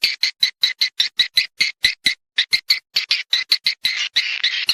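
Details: Swiftlets attracted by a lure sound for nesting in a swiftlet house: evenly spaced raspy chirps, about four per second, each with a sharp click, ending in a denser buzzing twitter.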